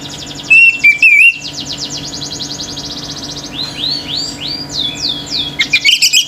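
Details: Orange-headed thrush in nonstop 'gacor' singing that sets other birds raging: a few loud whistled, wavering phrases, then fast rhythmic chirping trills from other birds continue behind.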